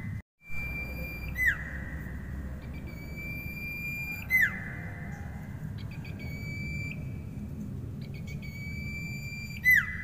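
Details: Common iora in vigorous song, repeating long flat whistles about every three seconds, each ending in a steep downward-sliding note, against continuous low-pitched hum.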